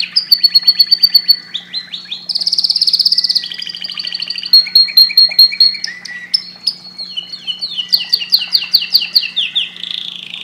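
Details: Canary singing at length: rapid repeated trills, loud buzzy rolls, clear whistled notes and descending slurs in quick succession, very high-pitched and energetic, with a low steady hum behind.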